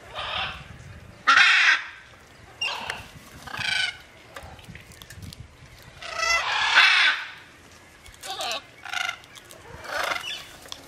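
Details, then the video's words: Macaws in free flight give harsh, raspy squawks in separate bursts, some long and grating, spaced irregularly over several seconds. "flying macaws"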